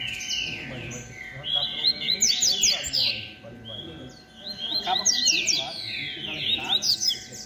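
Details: Rusty-collared seedeater competing in 'beco' style: two loud bursts of fast, sharp, high chirps separated by a softer pause, other birds singing alongside.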